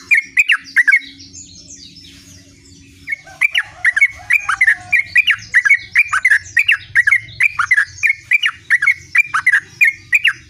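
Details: Sooty-headed bulbul in full gacor ngerol song, a rolling, chattering stream of short liquid warbled notes repeated rapidly and almost without pause for about seven seconds after a brief opening burst, with soft low background hum.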